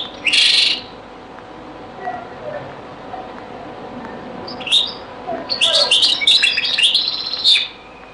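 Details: European goldfinch in a very old Beni Messous 'les avocats' zaboka recording: a short buzzy burst, a long quiet stretch with faint low sounds, then a lively cluster of high twittering, chattering notes toward the end.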